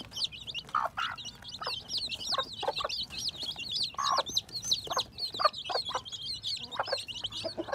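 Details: Baby chicks hatching in spring 2021, a brood peeping continuously in dense, overlapping high-pitched chirps, each a quick rising-falling cheep, with scattered lower clucks and soft rustling between them.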